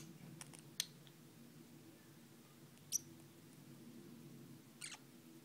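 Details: A pet green-rumped parrotlet gives three brief, thin, high squeaks about two seconds apart, over a low indoor hum.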